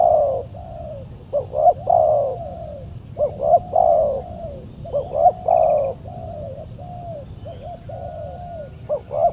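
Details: Fierce wild spotted dove answering a trapping decoy on a Saturday; a run of mellow low coo phrases, short looped notes then drawn coos, repeated steadily, with a faint high trill in the background.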